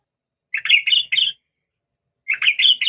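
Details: Female yellow-vented bulbul calling a male: two short phrases of four rolling, slightly rising notes, separated by about a second of silence.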